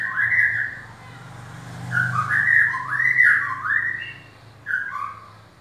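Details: White-rumped shama (murai batu), a kept champion bird, delivers a run of rich whistled notes that rise and fall in looping phrases, with a brief pause before a final pair of whistles, over a steady low hum.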